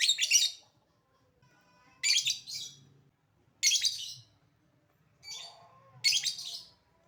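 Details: Calling lovebird, a lure for other lovebirds: loud, rasping, broad squawks repeated roughly every two seconds, some doubled, with a quieter call between them and soft low room noise.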